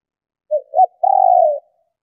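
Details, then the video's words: Female spotted dove cooing to stimulate males to call: two short, low coos followed by a longer, steady, slightly purring coo lasting about half a second, all in a mid-low pitch band, against a silent background. "Tiếng Chim Cu Gáy Mái Kích Bổi Nhanh Gáy"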